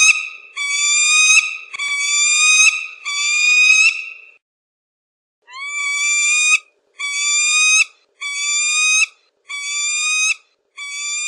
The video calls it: Suara melengking burung alap alap (falcon bird song)